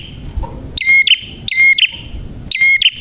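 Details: Prinia singing with a clear voice: three bursts of bright chirping, each a high flick followed by a clipped whistle, about every 0.8 seconds, with faint low background noise.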